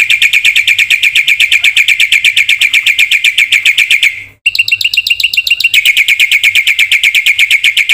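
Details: Rapid, steady chatter from a black-winged myna singing at full volume, played to trigger and tutor other birds: high repeated notes about four per second, a short break, then a brighter trilled run.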